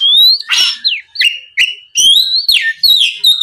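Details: Provoking song of an Oriental magpie-robin aimed at a rival: a long rising whistle, a harsh raspy burst, then sweet slurred whistles and steady high notes in quick succession.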